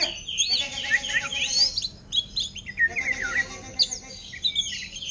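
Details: Captive greater green leafbird singing in orange-headed thrush style, a fast run of high, sharp whistles and chattering slurred notes in two bursts, with a low buzzing drone between phrases.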